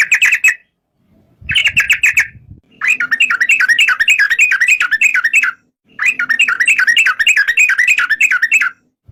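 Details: Yellow-vented bulbul song in repeated bursts of rapid, bubbling notes, each phrase a few seconds long and separated by short silences, with some low background rumble.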